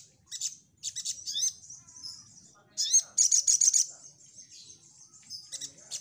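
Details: High-pitched crimson sunbird song used as a lure to make birds respond: quick scratchy phrases and upslurred whistles, then a dense burst of rapid rattling notes near the middle, followed by softer twitters.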